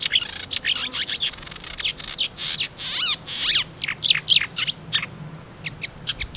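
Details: Singing marsh warbler, which imitates other birds: a rapid jumble of scratchy chips, clicks and short whistled sweeps, repeated phrases changing quickly over a few seconds, with low rumbling noise underneath.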